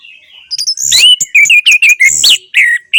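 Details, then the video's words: Orange-headed thrush, a kept songbird, song played as therapy to get a silent bird singing again: rich varied warbling phrases with slurred whistles and sharp high notes, loud and continuous. "Terapi Anis Merah Bisu | AM Macet Jadi Gacor Coba Di Putarkan Suara AM Ini"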